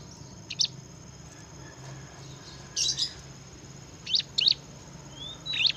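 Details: Bar-winged prinia, known locally as ciblek, singing in a lively, energetic style called gacor ngebren; short sharp high chirps come in scattered bursts with gaps between them, plus one thin rising whistle near the end, over a low steady hum.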